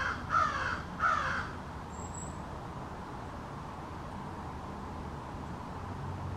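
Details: Two loud, hoarse caws in quick succession open the recording, American crows of a small family group conversing in a backyard, followed by several seconds of quiet background hum.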